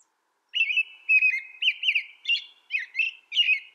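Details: American robin song: clear, loud, warbled whistled phrases in short rising-and-falling groups, about seven phrases in under four seconds, with bright slurred notes and faint high twitters; no background noise.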